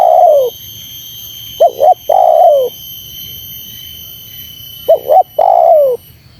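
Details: Spotted dove cooing to provoke wild doves: two phrases, each a brisk paired coo followed by a longer descending coo, with pauses of about three seconds. A faint steady high-pitched hum continues throughout.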